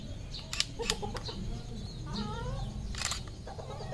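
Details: Red junglefowl on a farm in Cambodia: a harmonic, wavering clucking call around mid-clip. Sharp broadband bursts like flapping or clatter come before and after it, over a steady low rumble with faint high chirps of small birds.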